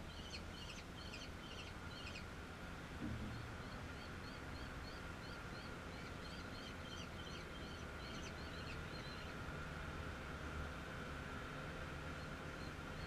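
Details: A common kestrel at its nest on 29 June 2016 gives a faint, rapid series of sharp, high "kee-kee-kee" notes in two bursts over a steady low rumble and a constant background hum.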